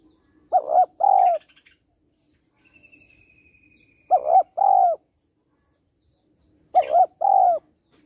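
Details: Female spotted dove calling to rouse males, repeating a deep two-note coo three times about three seconds apart, each pair a short note then a longer drooping one. Faint twittering and a thin whistle fill the gaps.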